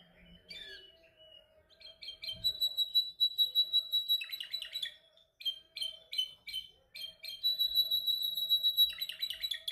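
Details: A canary in song training practises its vocal skills: bright, fast trills alternate with choppy repeated notes and brief pauses, and a long rolling trill closes the passage.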